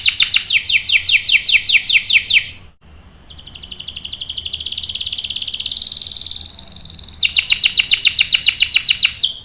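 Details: Canary delivering long rolling song for tutoring and prompting other canaries: quick repeated sharp downslurred notes, a short pause, then a sustained rapid high trill, ending with another run of fast clipped notes.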